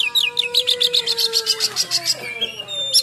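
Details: Rough-filled 'nembak' song of an oriental magpie-robin, meant to provoke and train other magpie-robins. A quick burst of high, clipped notes repeated about six times a second, with a steady low tone underneath, then a thin whistle.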